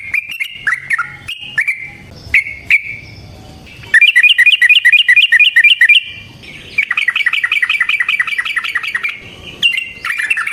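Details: Yellow-vented bulbul in long rolling 'ropel' song, used to lure other bulbuls into singing: scattered whistled and slurred notes, then two long bursts of very rapid, loud rolling chatter, ending with more varied whistles.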